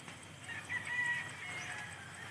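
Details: Rooster crowing in the background, heard as a drawn-out thin call standing above a steady hiss of broadband noise.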